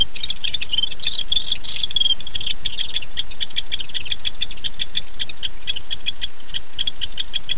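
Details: At 9:54 pm on 9-8-15 a male barn owl calls for his mate: opening rasping, hissy notes give way to a steady, rapid series of dry clicks over a low hum.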